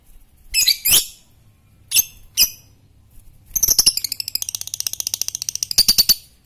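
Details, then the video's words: Fighter lovebird, used as a master bird to provoke singing, giving sharp high chirps then a long rapid ticking trill of evenly repeated clicks lasting about three seconds. "lovebird fighter ngetik merangsang ngekekk"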